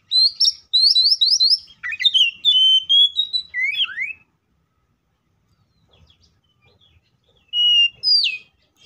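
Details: Oriental magpie-robin in a fighting song meant to provoke other magpie-robins into singing: a rapid run of rising whistled notes, then loud slurred whistles and falling sweeps, a pause, and a further phrase of clear whistles.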